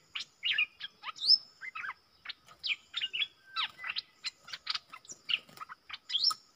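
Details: A wild bulbul, repeatedly lured before, counter-singing with a caged decoy bird but never approaching: rapid, continuous chattering of short warbled notes with occasional rising whistles.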